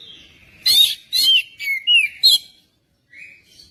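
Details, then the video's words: Magpie-robin song, played to prompt another magpie-robin to sing: a quick run of loud, slurred whistles sliding downward, about five bright phrases in two seconds, then a pause and a softer rising whistle. "pancingan kacer biar cepat gacor dan ngobra"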